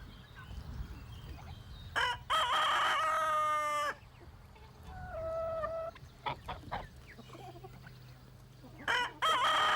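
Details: Rooster crowing in a farmyard at morning, a display of dominance over his territory and hens: harmonic, drawn-out crows with stepped pitch, a shorter flat call near the middle, and another crow starting at the end, with clucks between.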